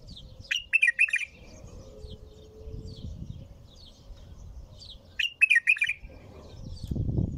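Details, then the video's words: Bulbul singing nonstop: two short bubbly warbled phrases about five seconds apart, faint chirps in between, over low rumbling noise and a brief steady hum. "تغريد بلبل طور بدون توقف"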